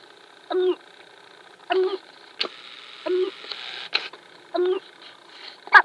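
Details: Sharp-tailed grouse dancing at Wainwright, Alberta, in 2015; short hollow harmonic calls repeat about every 1.2 seconds, mixed with sharp clicks and brief rattling bursts.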